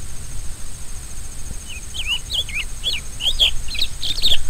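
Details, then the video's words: Rusty-collared seedeater beginning its song with a few spaced, slurred whistles that rise and fall, gradually quickening and growing louder into denser notes; faint steady hiss throughout. "CANTO DO COLEIRO DO BREJO"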